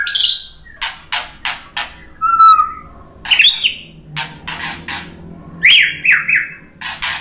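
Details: White-rumped shama (murai batu) song played as a lure to provoke singing: scattered sharp clicks and harsh bursts spaced about a second apart, one long steady whistle, and brief bright warbled phrases.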